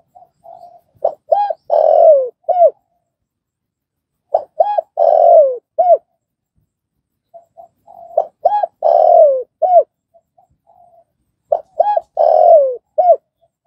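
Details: Spotted dove cooing, used to train newly caught birds to call quickly: four low, mellow phrases of short coos and a longer drawn-out note, each phrase repeated about every three to four seconds in a quiet setting.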